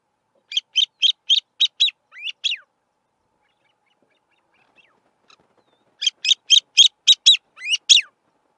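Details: A male Grey-winged francolin calls from a termite mound in open grassland: two quick bouts of harsh, squealing notes, about four per second, each ending in a couple of lower, down-slurred notes, with a quiet pause between.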